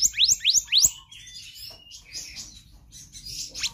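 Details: Varied 'gacor konslet' song of a black-naped monarch from a full-variation tutor recording: four loud upward-sweeping whistled notes in quick succession, then quieter mixed high warbles and chirps.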